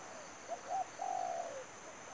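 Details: A spotted dove decoy used for trapping gives one phrase: a pair of short coos, then a longer trembling coo gliding lower at the close. A faint hiss fills the background.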